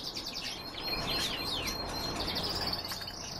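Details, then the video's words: Canary and goldfinch hybrid singing: a fast, varied warble of high twittering notes with sliding whistles and quick repeated trills, continuous throughout, over a steady low background hum. "Пение гибрида"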